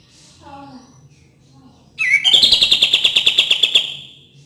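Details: Cream-vented bulbul singing, meant to stimulate birds that are lazy to sing. Faint, soft notes come first, then a sudden upswept note launches a rapid, bright, rattling chatter of evenly spaced chips for about two seconds.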